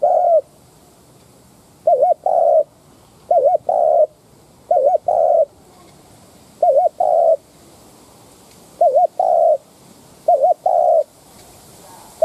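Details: Spotted dove decoy used to incite wild doves, cooing steadily: a wavy double note followed by a long hoot, phrase repeated roughly every one and a half to two seconds, seven times, quiet background.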